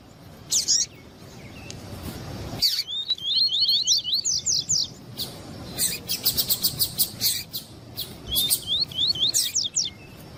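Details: Double-collared seedeater male giving tui-tui song, with female calls used to excite males. Several quick runs of rising slurred whistles and dense buzzy rattles, separated by sharp high chips, over about ten seconds.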